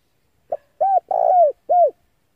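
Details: Cooing of a male spotted dove meant to attract wild doves: one quick soft note, then an arched coo, a drawn-out gently falling coo and a closing arched coo, all mid-pitched and clear.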